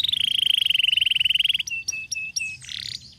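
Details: Canary song: a fast, even trill of about twenty-five buzzy notes per second, then separated clear whistled notes and a rising slurred phrase.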